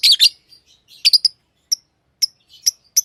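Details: Tame lovebirds giving a rapid burst of harsh chirps, then thin, short high peeps spaced about half a second apart.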